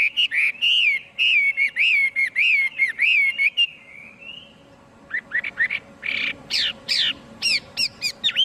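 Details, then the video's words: Clean, noise-free song of a Chinese hwamei: repeated slurred whistles about twice a second, a soft fading pause, then loud sharp sweeping notes and scratchy bursts delivered in quick succession. "Tiếng chim hoạ mi hót không tạp âm"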